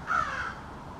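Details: A single short, rasping caw from an American crow, one of a small family hanging out in a backyard and calling back and forth.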